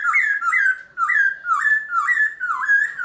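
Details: Black-throated laughingthrush kept as a songbird, singing in the early morning: a run of loud whistled phrases, each sliding up and then dropping, about two per second and slightly varied, in a small quiet room.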